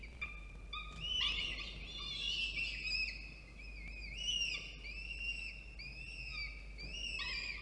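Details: Peregrine falcon feeding at its nest in Orange, New South Wales, 24 October 2022, after a food delivery; loud, strained whistled calls, arched and drawn out, repeated roughly every second with a few chips between.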